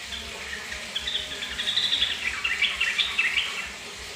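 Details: Yellow-vented bulbul singing in reaction to running bathroom tap water, recorded 11 June 2020: a lively jumble of bubbly, chattering twitters in quick succession, rising in intensity midway, over a steady hiss of flowing water.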